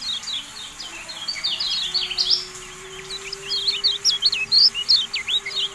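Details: Javan white-eye song used as a training recording for cage birds: rapid, high, thin twittering of short rising and falling whistled notes, about 160 per minute, irregular, over a steady low hum.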